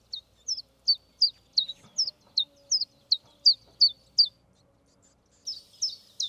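Common chiffchaff singing its steady, repeated two-note 'chiff-chaff' phrase, high and bright, about three notes a second, with a brief pause before resuming.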